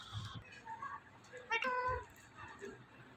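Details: Indian ringneck parakeet talking, mimicking a cat's meow: a short harmonic mew-like call near the middle, with faint softer chatter around it and low room noise.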